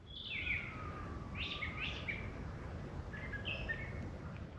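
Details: A Brown Thrasher sings varied, rich phrases high in a tree, some given twice in quick succession, over a low outdoor rumble, by a flooded lake trail in Marion County, Ohio, midday on April 9, 2025.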